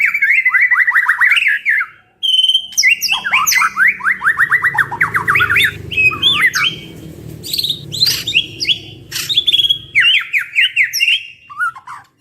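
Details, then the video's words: White-rumped shamas in vigorous training song: fast trilled runs of downslurred whistles, twangy squawks and looping notes, pausing briefly before more rapid bright phrases, over a soft low background hum. "Duo GACOR !! Burung MURAI BATU Full isian MASTERAN PANCINGAN"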